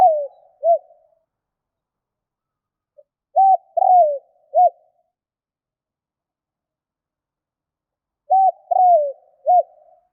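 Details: Spotted dove calling in phrases about five seconds apart, each a short note, a longer falling coo and a closing short note, soft and low in a silent background.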